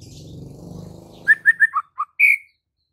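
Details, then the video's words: White-rumped shama in full chattering 'gacor full isian' song, used as a master recording for shamas reluctant to sing: a low rumbling noise fades, then five short clear whistled notes in quick succession and one longer, higher whistle. "Murai Batu GACOR FULL ISIAN"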